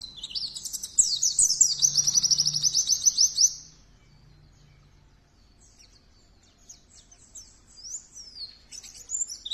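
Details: Oriental white-eye, pleci, singing energetically: a fast, very high chattering trill of sharp twittering notes for several seconds, then quiet, then a few scattered high chirps return.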